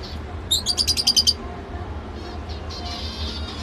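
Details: Lovebird chirping: a quick burst of about seven sharp, high, buzzy notes in under a second, then quiet with faint chatter and a low background hum.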